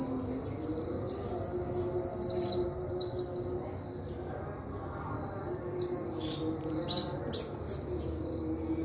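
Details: White-throated flycatcher, a village bird, singing a lively run of high whistled and chirping notes, many short rising and falling phrases in quick succession with brief pauses, over a low steady background hum.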